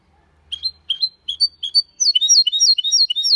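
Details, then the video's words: Hybrid of goldfinch with canary singing clean Malaga-style song: spaced rising chip notes at first, then a rapid continuous stream of looping warbled phrases; faint low hum early on. "Mixto de Jilguero Cantando Limpio (Video HD)Mulet de Chardonneret X canari /hybrid goldfinch singing"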